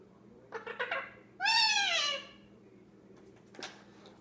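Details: Young male Indian ringneck, 10 months old, talking to himself while playing: rapid clicking syllables followed by a loud, long, arching whiny word-like note, then a brief sharp chirp after a pause.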